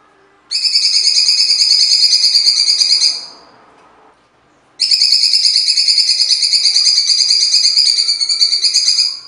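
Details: Cucak cungkok in full coarse song with pauses: two long bursts of fast, high, ringing notes repeated about three times a second, separated by a short pause of near silence.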